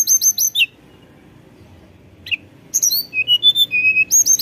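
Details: Tledekan gunung in busy flute-like song, used as a lure to get young birds singing: bursts of high, clear whistled notes, some sliding downward, a pause, then steady flat whistles and more high trills.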